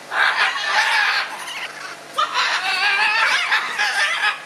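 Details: Scarlet macaws squabbling, with nearly continuous harsh, grating squawks overlapping one another. A brief pause falls near the middle before the loud raspy calls resume.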